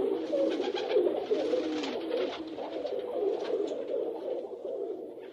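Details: Flock of rock pigeons producing a constant low, burbling coo chorus, with individual coos rising and falling in pitch and light flutters of wings behind.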